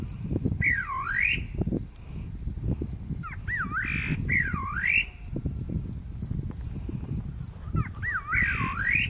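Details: Great parrotbill calling near Tiger Hill in Senchal Wildlife Sanctuary, Darjeeling, India: four loud whistled phrases, each dipping down then climbing steeply, repeated every two to three seconds, with steady low rumbling and crackling noise beneath.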